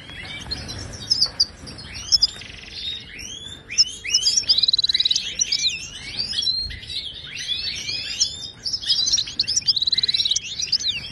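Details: Moroccan goldfinch singing, for training caged goldfinches to sing: a continuous stream of high, bouncing chirps and slurred notes, broken by several short, harsh buzzy trills.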